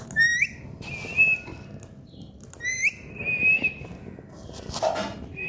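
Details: Talking parrot giving clear, rising whistles, each a short upward sweep followed by a level note. The pattern repeats twice, with low background rumble and a brief scratchy sound near the end.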